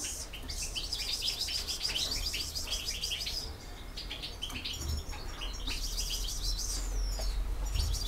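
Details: European goldfinch delivering campero song: dense, rapid liquid twittering and buzzy trills running almost continuously, a short pause, then more tinkling phrases ending in a falling whistled slide; faint low rumble behind.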